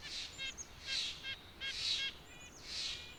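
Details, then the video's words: A White-breasted Nuthatch gives four nasal, horn-like 'yank' notes, about one a second, over a faint outdoor hiss. "White-breasted Nuthatch Bird Sound Video: Bird Call"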